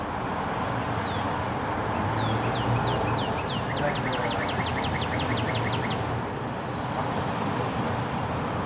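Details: Northern cardinal singing noisily from a tree outside an apartment in Toronto in early spring (March, cold snap): clear down-slurred whistles speeding into a rapid run of about a dozen shorter slurred notes, over steady low traffic hum.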